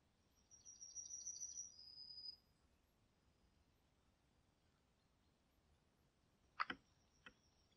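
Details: Common kingfisher, Niepołomice Forest, Poland, July 2020: a shrill drawn-out high whistle of almost two seconds, then silence and a sudden sharp double knock or splash-like crack near the end.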